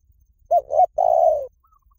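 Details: Spotted dove calling a brief phrase: two quick low coos followed by one long rolling coo that slowly drops in pitch, soft and mellow, with a faint thin high note trailing after.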